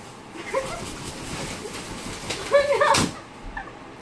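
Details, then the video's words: A macaw playing with children gives two short bursts of harsh, throaty growling, imitating a tiger, with a sharp noise between them and faint background voices. "Macaw thinks he's a Tiger"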